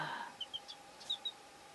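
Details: Laying hen with her newborn chick: about six short, thin, high peeps in quick succession, each a brief chirp, scattered over under two seconds above a steady low hum, with a soft murmur at the very start.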